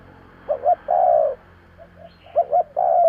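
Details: Spotted dove cooing to lure others: a double coo with a long falling croo, faint soft coos in the gap, then a second double coo and long note.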